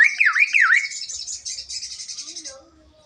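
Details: Javan myna talking and coughing: a wavering whistled phrase dipping and rising twice, then a long buzzy hissing stretch of fast pulses that fades away.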